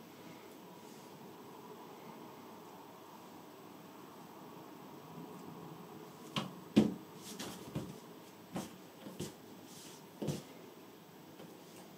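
A quiet indoor room hum, then a handful of sharp clicks and taps in the second half, with no animal voice.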